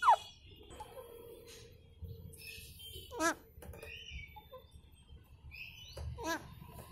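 An Alexandrine parakeet gives a sharp falling whistle, then two harsh, voice-like bursts a few seconds apart, mimicking speech over a quiet room hum.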